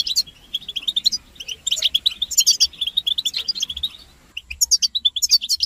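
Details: Collective twittering of European goldfinches, used to stimulate singing and end a male's silence. Fast, pulsed chirps repeat rhythmically, break off briefly, then resume with crisp, ringing high notes.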